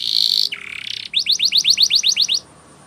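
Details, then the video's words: Spanish Timbrado canary singing a training song, a high buzzy note dropping into a lower warble, then about ten rapid rising whistled notes in an even series before stopping. "Canary's Most Powerful Song For Training"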